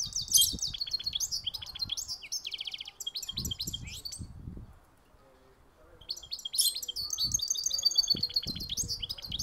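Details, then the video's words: High, energetic twittering from a goldfinch hybrid: chirps and rattling trills for about three seconds, a near-silent pause, then the song bursts out again; soft low thumps sound underneath. "Mixto jilguero cantando"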